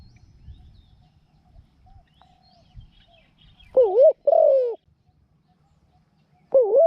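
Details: Decoy Spotted dove used with a trap enclosure, giving a low dipping coo followed by a longer falling one, then starting another phrase, after soft rustles and faint distant chirps.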